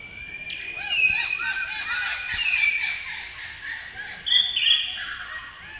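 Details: Male Blue-throated Blue Flycatcher at Tashiding, Sikkim, India, in May: high whistled phrases with sliding notes and a brighter burst near the end, over soft background hiss.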